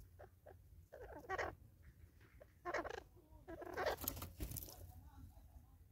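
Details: Natal spurfowl in South Africa in 2024, birds fighting over a meal: harsh, scratchy squawk bursts at about 1.3, 2.7 and 3.9 seconds, with short softer notes between them over a low steady hum.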